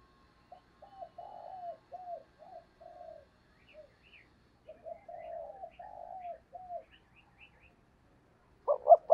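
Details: Decoy spotted dove calling to draw wild doves. A long series of soft, evenly spaced falling coos in two runs, with faint high chirps of other birds, ends with a sudden loud husky coo phrase.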